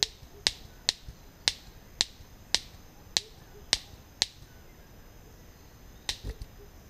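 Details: Orange-collared manakin on its lek at Bosque del Rio Tigre, 18 February 2014, makes sharp, dry snaps like cracking twigs, about two per second for a run of nine, then a pause and a quick double snap, over quiet hiss.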